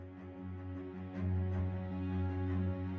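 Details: Soft, slow instrumental music with low sustained tones plays throughout, and no animal is heard.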